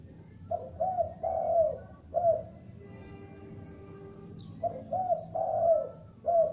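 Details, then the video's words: Lure spotted dove, a young bird, calling vigorously: two bursts of three to four deep, rounded coos, each falling slightly, separated by a quiet gap of about two seconds with faint low hum. "Tekukur Pikat gacor anakan Berbunyi Memanggil"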